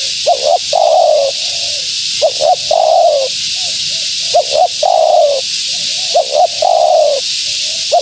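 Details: Female spotted dove cooing, used to attract wild doves: short paired rising notes then a longer, falling purred coo, the phrase repeated about every two seconds, with a steady background hiss.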